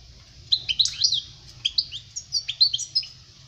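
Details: Goldfinch song meant to tutor young birds: short clusters of sharp, bright chirps and quick downward slurs, sung in several brief bursts separated by tiny gaps, over a quiet low background hum.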